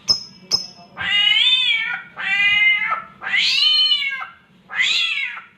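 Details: Samyong bird imitating a mating cat: after two sharp clicks, four drawn-out, nasal, cat-like meows, each rising then falling in pitch and lasting about a second, with a faint low hum beneath.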